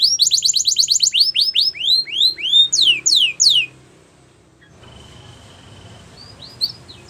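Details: Yellow Belgian canary singing, described as in the wild: a rapid high trill slowing into loud, evenly spaced descending swept whistles, then near silence with one thin level whistle and a few faint chirps.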